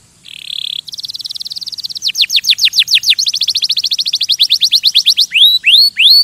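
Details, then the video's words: Canary singing to stimulate other birds opens with a short buzzy note, then a thin high trill that becomes a rapid series of sharp downswept notes and ends with rising whistles. "Kanarienvogel singt um Vögel zu stimulieren"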